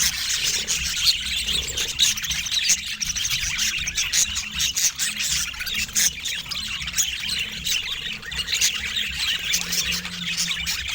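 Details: A pet budgerigar, called dramatic, gives a continuous stream of high, scratchy chirps and squawks with rapid warbling and no pauses.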